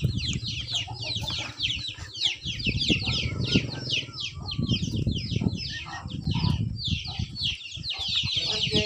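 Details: Chicks separated from their lifted mother hen peep loudly and continuously, sharp downward-sweeping notes packed closely together, with low clucking, wing flapping and handling noises underneath.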